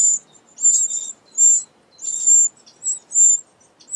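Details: Eurasian wren family at their unusually large nest built beneath a pavilion, sheltered from wind and rain; very high, thin squeaky calls come in bursts about every half second, several overlapping, over a quiet background.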